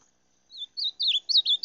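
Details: Short phrase of rufous-bellied thrush song: a soft opening note followed by a rapid series of loud, slurred whistled notes, each swooping up and down, ending abruptly.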